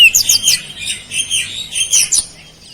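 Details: Oriental magpie-robin in chatty beset-style song filled with flowerpecker imitations: a dense, continuous stream of high, shrill twittering and whistled phrases that rise and fall with almost no pauses.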